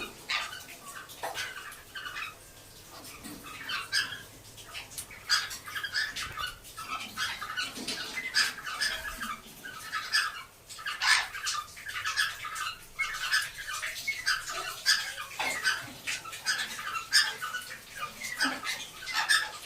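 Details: Saddleback cockatiels, home-bred pet birds in a mating context, chatter in quick, scratchy chirps and short harsh notes that come in busy bursts.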